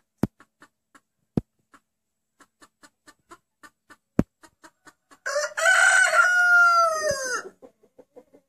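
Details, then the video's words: Rooster whose crowing is said to resemble the Turkish word "anneanne", grandmother: a string of quiet clucks and a few loud knocks, then one long, strained crow with a falling end, followed by more soft clucks. "Bu Horoz Anneanne Diyor"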